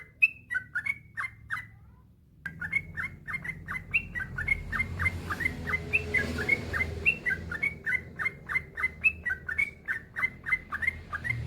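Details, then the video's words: Yellow-vented bulbul, a male in long continuous song played to make other bulbuls answer; after a brief pause, quick clipped chirping notes follow one another steadily, some slurring upward, over a soft background rumble. "Suara burung trucukan gacor ropel panjang"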